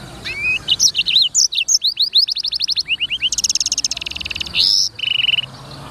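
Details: Black-throated canary singing lively 'gacor' song meant as clear training material: fast high chirps, upswept whistled notes, then rapid repeated trills and a buzzy rattling stretch ending in a flat whistle.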